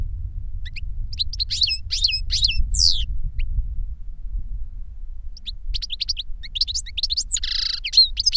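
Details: European goldfinch song, caged master and young bird taught through a CD of the master's singing; rapid twittering runs with falling slurs, a quiet stretch midway, then renewed chatter ending in a buzzy note, low hum underneath.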